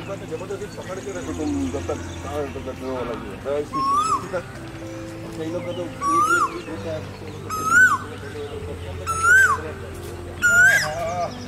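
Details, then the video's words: A male Asian koel on a spring morning by a lake gives five rising two-part 'ko-el' notes, about one every one and a half seconds, each louder than the last, over faint voices and other birds. "কোকিলের মিষ্টি কণ্ঠে মুখরিত এক বসন্তের সকাল ।। Sweet sound of Asian koel bird (Male)"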